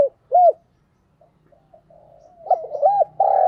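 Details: A decoy spotted dove calling to attract wild doves, giving a short coo, a pause with faint soft notes, then a quick pair of coos and a sustained steady coo at the end.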